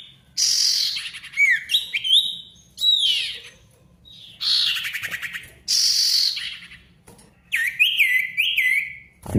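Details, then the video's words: Lively Ashy tailorbird song for getting quiet tailorbirds singing again: harsh buzzy bursts alternate with short bright whistled notes and flicking upslurs, in four or five loud phrases. "SIRTU GACOR RIBUT COCOK UNTUK SIRTU MACET BUNYI AGAR GACOR KEMBALI"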